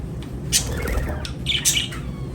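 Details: Lovebirds chirping and singing: two sharp, bright high chirps stand out over a steady low hum, with fainter short tweets between them.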